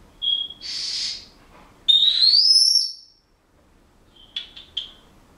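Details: Pet Senegal parrot at home whistling bars of a song it is learning: a short whistle, a breathy burst, a long smoothly rising pure whistle, then a quick run of clipped chirps.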